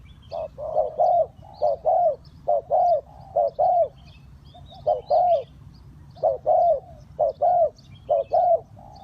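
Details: Low repeated coos of a spotted dove used to lure wild birds, short and long notes alternating in loose pairs about once a second, with scattered faint high bird chirps.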